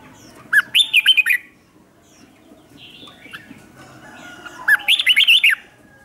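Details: Decoy red-whiskered bulbul calling in wild birds: two quick warbling phrases of looping whistled notes about four seconds apart, with a few faint distant chirps in the quiet gap.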